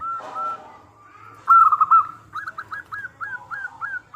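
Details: Zebra dove song used as a lure to draw other doves to answer: clear, bright notes near one pitch, a held tone then a quick run of short chopped, slightly falling notes.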